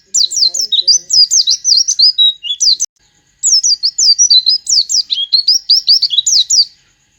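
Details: Oriental white-eye song mixing in mimicked sooty-headed bulbul phrases, two long runs of quick, high, sharply slurred chirps and trills with a short silent gap between them.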